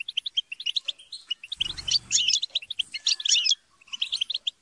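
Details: Several European goldfinches chatter and squabble together in rapid, liquid twittering and tinkling notes with harsher squabbling bursts, used to stimulate goldfinches to sing; a brief low rumble underlies the middle.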